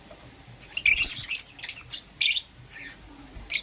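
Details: Green Personata and yellow pastel pied lovebirds chirping in the morning, giving loud, shrill, very high chirps in two or three dense bursts with softer squeaks in between.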